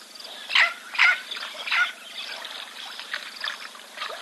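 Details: Red-billed oxpeckers on a giraffe at a waterhole call with harsh, hissing churrs in quick bursts: three louder ones in the first two seconds, then softer chatter.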